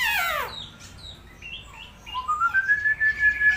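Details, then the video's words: A bird with an odd-sounding voice: a loud downward sweep opens the clip, then scattered short whistles, ending in a rising, sustained whistled note that pulses rapidly. "burung suara aneh ?"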